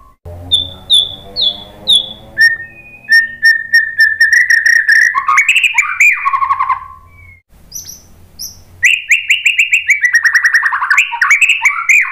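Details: Murai batu, or white-rumped shama, in a lure song meant to set other birds singing. It opens with three descending high whistles, then runs into fast chattering trills and dense warbled phrases.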